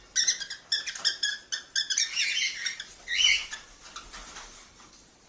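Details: Cockatiel calls played to encourage mating: quick bright chirps in short bursts of harmonic notes, then a denser scratchy stretch of chatter that fades toward the end.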